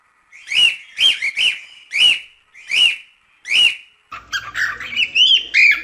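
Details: Singing cockatiel used to train chicks gives six loud, rising whistled notes, about one per second, followed by a fast, jumbled warble.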